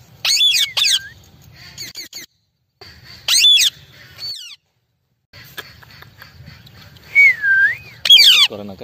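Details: Amazon parrots in a group giving loud harsh squawks in short bursts, separated by quieter gaps, with a wavering whistled note near the end and a low hum beneath.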